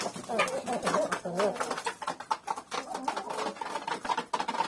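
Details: Several hens pecking at wheat give short, soft clucks and low murmuring trills, overlapping at a quick, uneven pace of roughly two notes a second.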